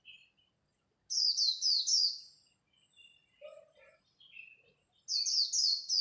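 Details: Japanese white-eyes competing at dawn in the líu song style, meant to stir up newly caught birds: loud bursts of rapid, high, falling twittered notes, with scattered softer chirps and a lower note between bursts.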